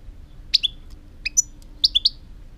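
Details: European goldfinch calling with bright, high, slurred chirps, a pair, then a quick cluster of three sharp notes, loud and close over a faint hum.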